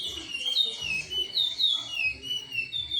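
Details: Chestnut-bellied seed finch (curió) singing in the Timbira song style: clear whistled notes sliding between high and mid pitch in a continuous flowing phrase, with faint low rumbling beneath.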